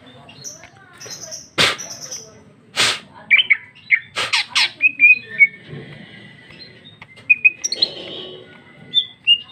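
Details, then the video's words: Female greater green leafbird singing in full ngeplong style, a medley of sharp whistled slurs near the upper register broken by loud harsh squawking bursts and brief chattered notes, with low background hum. "Cucak ijo betina paling gacor ngeplong isian super mewah"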